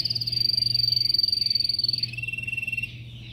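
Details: Yellow canary in a cage, singing in training: a fast, steady high trill of repeated pulses that drops to a lower pitch midway, then stops, leaving a faint low hum.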